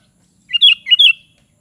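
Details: ['Sooty-headed bulbul giving a crisp phrase of two paired whistled notes that slur up and down, clean and loud against a quiet background.']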